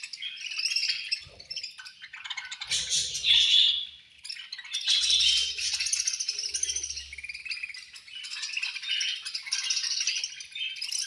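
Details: Budgerigars chattering at feeding time, a long, dense stream of high, rasping chirps and warbles from many birds, swelling into louder bursts, with occasional low rustling and knocks.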